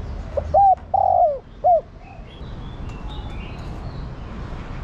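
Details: Female spotted dove calling to a male, cooing to urge and attract him; a few short, mellow, low coo notes, the middle one longer and slightly falling, against faint background chirps.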